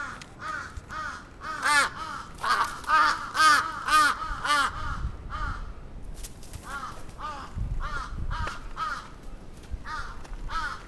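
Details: Attacking crows in Atsubetsu Ward, Sapporo, 27 June 2017: a long run of fast harsh caws about two per second, overlapping voices, a brief pause, then more caws with low rumbles.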